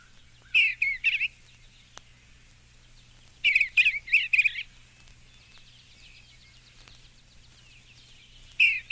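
Soft, warbled Eastern Bluebird phrases of a few quick, burry notes, given in bursts about three seconds apart over a quiet background.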